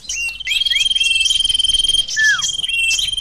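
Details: Sirtu bird lure recording: a rapid pulsing trill under a constant high whistle, short rising chirps, and one loud down-slurred whistle late on.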